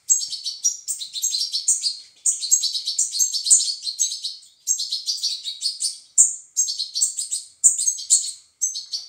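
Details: High-pitched, insistent chirping from European goldfinch chicks during feeding, dense overlapping tweets in bursts of about two seconds, repeated over nine seconds.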